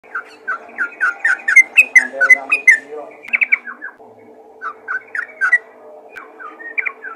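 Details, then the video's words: Yellow-vented bulbul calling other bulbuls: bursts of quick, bubbly, chattering notes sliding between low and high whistled tones, with a pause near three and four seconds before the chatter resumes more sparsely. "panggilan burung trucukan ropel gacor memanggil trucukan lain"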